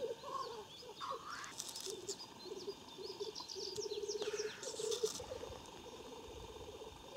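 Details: At a lek in Klassino, Siberia's Omsk region, 2018, black grouse give broken runs of low bubbling rookooing, cut by several short, breathy hissing sneezes, with scattered high chirps of other birds in the background.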